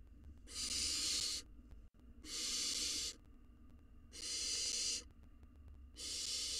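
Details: Nest-box barn owl nestling, wild and hungry, swallowing a mouse while repeating loud, harsh hissing screeches about every one and a half to two seconds, four bursts in all, with one brief click.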